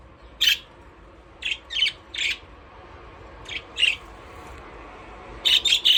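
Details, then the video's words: Budgies playing in an aviary, calling in sharp, buzzy chirps, some single and some in quick clusters, ending with a rapid burst of three chirps. "Budgies parrot chirping sound"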